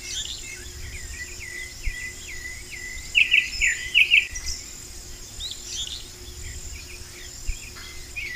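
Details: Wild Vermilion flycatcher, a quick burst of sharp, tinkling notes rising into a brief trill near the middle, then quieter scattered chirps over constant high hiss and low background rumble.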